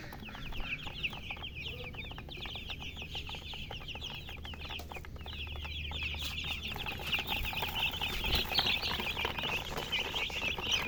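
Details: Chicken chicks chirping nonstop, a busy chorus of high, piercing peeps, about four a second, growing a little louder toward the end, with low background rumble.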